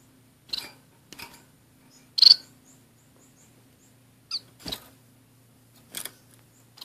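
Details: A pair of caged orange-cheeked waxbills with a society finch: several brief high calls, one louder sharp note early on, separated by knocks and rustles of birds hopping in the small cage.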